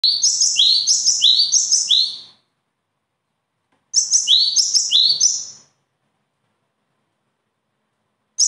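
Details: Bird song in two bursts, each a rapid run of high, sharp notes with a rising stroke repeated about five times, separated by silence, the start of a third burst cut off at the end; no other sounds.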